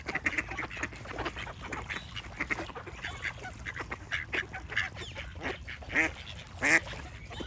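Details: Flock of ducks giving overlapping raspy quacks in an uneven chatter, growing louder toward the end with two strong ringing quacks, over a faint low rumble.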